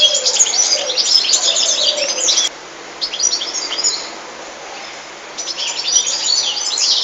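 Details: European goldfinch singing a high, rapid, tinkling twittering song in bursts of liquid chirps and trills, pausing briefly midway before resuming the busy twitter.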